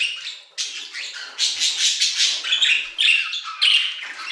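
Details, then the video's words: Aviary budgerigars in song, delivering bursts of gritty chatter and fluttering trills separated by brief gaps, some notes sliding downward, the phrases stacking into a lively, uneven stream. "Budgie Songs - 1 hour of Budgies singing in the Aviary"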